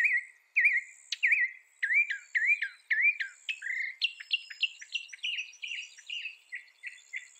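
Mockingbird song: rapid, varied phrases of sweet, looping whistles and sharp chips, each type repeated a few times before switching, high and bright.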